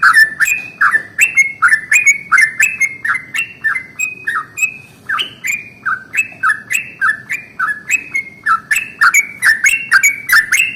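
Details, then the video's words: Long rolling morning song of a yellow-vented bulbul, played to stir other bulbuls to sing; an unbroken stream of some thirty short, bubbly notes, each sliding down in pitch, delivered briskly with only a brief hitch midway. "SUARA trucukan ROPEL PANJANG pagi hari"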